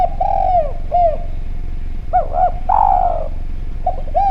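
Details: Vocal Javanese spotted dove in clear voice, used as a lure sound to prompt other doves to call: short arched coos in pairs, then a longer, louder drawn-out descending coo, over a steady low rumble.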